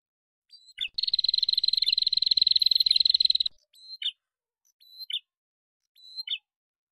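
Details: Used as a lure, male and female prinias duet: a brief chip, a dense rapid buzzy trill lasting over two seconds, then three high whistles each snapping into a downward chip.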